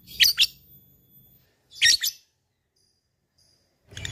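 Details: Calling an opponent, a labet fighter gives paired high, buzzy tick notes in ngetik style. The pairs are separated by about a second and a half of quiet, over a faint low hum.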